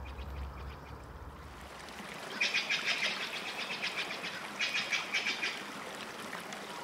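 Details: Nightingale singing deep in the forest: two bursts of rapid, harsh repeated notes, each phrase lasting about a second, over a steady background hiss.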